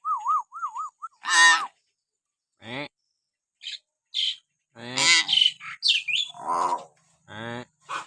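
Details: Common hill myna, a pet-bird training recording meant to provoke mynas into calling, with natural whistles: a wavering pure whistle, then harsh broadband squawks, nasal harmonic-rich calls and sharp chirps in irregular bursts separated by short silences.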